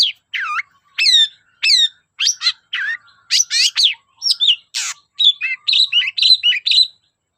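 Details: Long-tailed shrike song for coaxing other shrikes to sing: quick, varied medley of downslurred whistles, scratchy chatters and a harsh buzzy note, delivered in rapid succession with tiny gaps.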